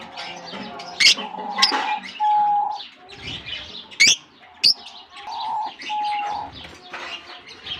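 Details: Lovebirds released into a colony at the start of the summer season, exploring new surroundings: a busy mix of overlapping harsh chirps and sharp squeaks, with two short level whistles near the middle and end.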